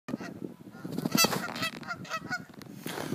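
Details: Geese honking at a person on Sand Island: a few harsh, nasal honks with stacked harmonics stand out over a constant low rumble of wind or surf.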